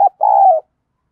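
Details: Spotted dove, field-voice song used to spur rival doves to fight: a short husky note followed by one long, steady, slightly falling coo, with no other sounds.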